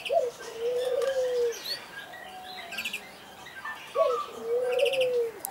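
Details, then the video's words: A Barbary dove in an aviary at Alkmaar, Holland, coos twice during a short display: each time a quick rising note, then a long, even, low rolling coo, while small birds chirp in the background. "Displaying Barbary dove"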